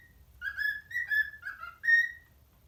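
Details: Pet parrot whistling the Addams Family tune for its parrot friends. A brief run of four or five clear, harmonic-rich whistled notes ends on a higher sustained note, with faint low rumble behind.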